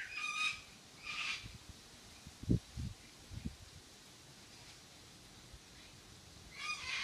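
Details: Cockatoo at Airlie Beach: a harsh, broadband screech at the start and another at the end, separated by quiet with a few low thumps and rustles between.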